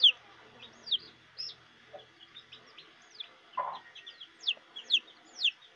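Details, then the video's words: Chicks and mother hen searching for food: thin, high, falling peeps come irregularly and fairly softly, with a single short, lower hen note in the middle. "SUARA ANAK AYAM DAN INDUKNYA SEDANG MENCARI MAKAN | The sound of a chick and its mother"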